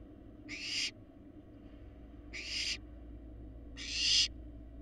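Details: Large barn owl fledglings resembling their parents on a live nest camera in Florida: three harsh, breathy hissing screeches, each under half a second and spaced about two seconds apart, over a steady low hum.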